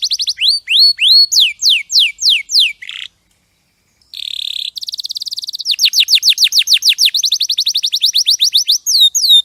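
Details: Champion canary: upturned whistled notes and falling sweeps, a short buzzy phrase, a brief pause, then a low buzzing roll and a long, rapid rattle of down-slurred notes.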